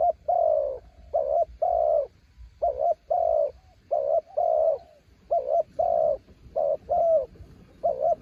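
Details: Decoy spotted dove from the mountains cooing in strong wind: a brisk series of deep mellow coos, short and long notes paired, repeated evenly throughout.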